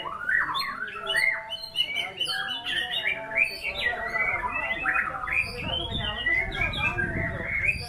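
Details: White-rumped shama in full song, an energetic medley of rising whistles, quick trills and chattering notes. Phrases run nearly continuously, and a low background murmur is audible in the later part.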